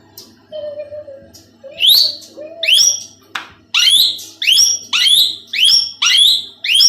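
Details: A tame two-year-old male talking plum-headed parakeet gives shrill, high, down-slurred squawks, about nine in quick succession; faint low voices and tones at the start.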